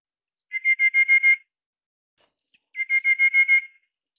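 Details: Rufous-capped Babbler (Stachyris ruficeps praecognita), a Taiwan endemic subspecies of forest understory and shrubs, giving two quick runs of about seven even, hollow piping notes, each under a second, over a steady high hiss of insects.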